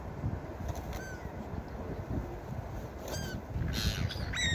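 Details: Beach gulls utter a short falling call early, a quick pair of cries mid-clip and a final high yelp, with continuous rumbling surf beneath.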